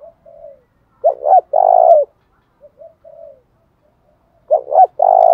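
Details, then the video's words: Large spotted dove in the 'thổ bầu' voice style, calling to spur a fight. Soft murmured notes lead into two hooked coos and a long vibrating coo. The pattern comes twice, with quiet gaps between. "Chim cu gáy cườm to như bồ câu thúc đấu cực chất như nước cất"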